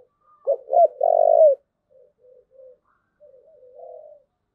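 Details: Spotted dove giving a thúc gù coo: two short clipped notes followed by one long, steady, mid-pitched coo about a second long, then faint soft murmuring notes.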